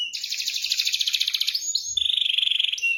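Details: Canary trigger song for silent canaries: a steady rapid rolled trill for about two seconds, then a lower, even, fast-pulsed roll.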